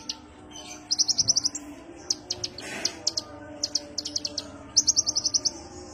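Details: High-pitched sunbird (kolibri ninja) lure call: rapid runs of six to seven thin chips alternating with looser groups of two or three sharp notes, all in an easy, unhurried rhythm.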